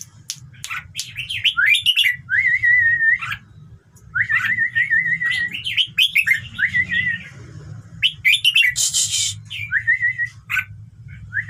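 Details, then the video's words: Song of a red-whiskered bulbul, used to stir other birds to sing along: repeated bright whistled phrases and wavering trills with sharp upward notes, one harsh noisy burst, over a steady low background hum. "เสียงนกกรงหัวจุก #เปิดแล้วคึก นกร้องตาม"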